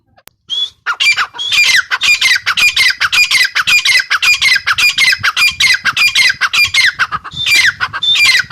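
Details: Grey francolin female giving a long, fast run of harsh, squawky notes, nearly two per second, with a clear higher rising note at the start and near the end.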